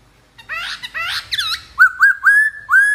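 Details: Black-throated laughingthrush singing: harsh, chattering, churring notes give way to a run of four bright, rising whistled notes, each short and evenly spaced.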